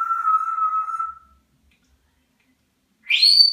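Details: Whistling pet African grey parrot: a level tonal whistle of about one second, then two seconds of silence, then a sharp, higher whistle sweeping steeply upward, with a faint upper overtone.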